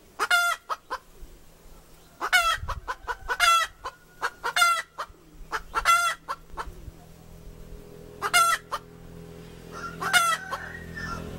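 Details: A female chicken cackles in a series of sharp, nasal squawks, several spaced roughly a second apart, the rest in irregular bursts, over a low background hum.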